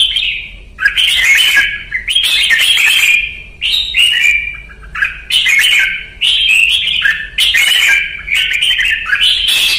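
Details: Red-whiskered bulbul (chào mào) from Vietnam singing in a training session: loud, bright whistled phrases, each lasting about a second with a sharp rising start, repeated back to back with brief pauses over a faint low hum.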